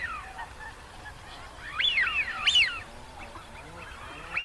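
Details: Wigeon whistling, a pair of loud swooping up-and-down whistles in the middle, with softer whistles before and after and a faint steady background hiss.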